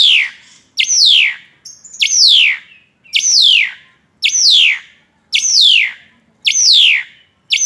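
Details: Asian pied starling singing persistently while performing its wing-fluttering display: loud, clear whistles that sweep steeply downward from high to mid pitch, repeated about once a second in a steady run, with a quiet background.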